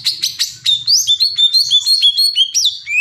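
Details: >Greater green leafbird singing: a run of sharp chirps, then rapid, slurred whistled notes around a steady high pitch, with sweeping upward flicks near the end and a faint low hum underneath.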